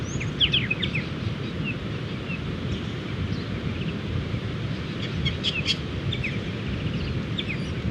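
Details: Striated Pardalotes calling in the morning around their nesting dunes between two beaches in New South Wales, many birds flying and play fighting. Quick, high chip notes cluster at the start and again near the end, over constant low wave noise.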